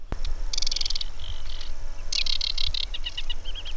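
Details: Singing male aquatic warbler at the Długa Luka boardwalk, Ławki Marsh sedge fen, Biebrza National Park, Poland, on a June 19 evening: quiet, delicate, high dry rattling trills in short bursts, then a few clear whistled notes, over a steady low rumble.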